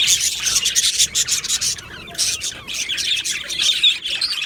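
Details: A budgerigar aviary colony from Australia, July 2025, gives rasping, scratchy chatter in surges, dipping briefly quieter midway before the busy chirping returns.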